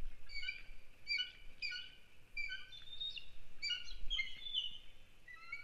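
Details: Piping alert calls of an adult bald eagle at its nest, December 1, 2019, as an intruder eagle is chased in hot pursuit. Rapid runs of high, squeaky chittering notes repeat almost without pause. A low hum is heard throughout.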